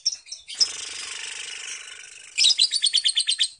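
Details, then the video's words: Lovebird resting at home giving its ngekek long trill: a couple of short chirps, a hissing rasping stretch, then a fast run of sharp, evenly pulsed high notes. "Lovebird ngekek panjang"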